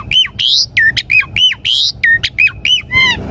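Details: Asian pied starling, locally jalak suren, singing to provoke caged birds to answer and sing: loud harsh squawks alternating with clear whistled notes that rise and fall, repeated in quick phrases over a low background rumble.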